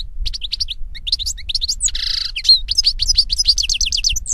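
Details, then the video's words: European goldfinch in nature delivering a fast, continuous twittering song of tinkling notes, with a nasal buzzy burst in the middle, against a quiet background. "Birds Singing - European Goldfinch"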